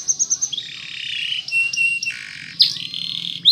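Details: Canary in Spanish Timbrado training song: a few quick pulsed notes lead into long sustained whistled tones stepping down and back up in pitch, with a sharp chirp near the end.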